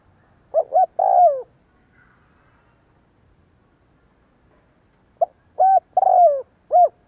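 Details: Spotted dove cooing in the kích bổi style used for decoy training: two low phrases, each a short note, a clear coo, a longer falling coo and an arched final coo, with a quiet pause between.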